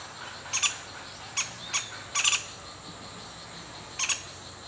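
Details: Female juvenile Pale-billed Woodpecker at its nest at La Selva Biological Station, Costa Rica, begging as its father lands above with food, apparently on fledging day: short, sharp, high notes, some doubled or tripled, at uneven intervals, with faint hiss.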